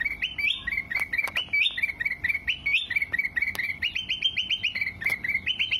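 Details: Sooty-headed bulbul singing for cage-bird training: a lively stream of liquid, bouncing whistled notes, rising and dropping in quick two- and three-note phrases, nearly one per second, with occasional clicks.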